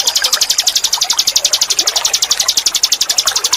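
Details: Ninin eurih bird, a training recording for caged birds, with a fast, very regular train of high pulsed notes, about four per second, running steadily throughout over a faint background hiss.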